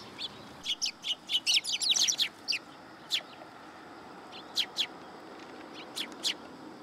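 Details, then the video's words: Sparrows at a Tenmangu shrine, coming for food first thing in the morning on 27 September 2022. Short, sharp high chirps in quick irregular clusters, a dense burst in the first two seconds, then scattered single chirps over faint steady background hiss. "朝一番 餌を貰いに来る雀達"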